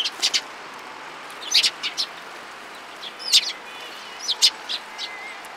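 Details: Sparrows gathering in a cherry tree at a Tenmangu shrine, 24 March 2023. High, sharp chirps come in small clusters of two or three notes, with pauses between bursts and a quiet, even background.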